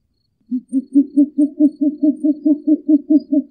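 A Short-eared Owl gives a rapid run of about fourteen low, hollow hoots, roughly five per second, steady and even. No other sounds are heard.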